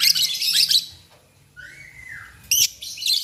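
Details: Lovebirds calling to each other in the morning: bursts of harsh, shrill chattering, then a single drawn-out whistle that sags slightly in pitch, followed by a sharp squeak and more scratchy chatter.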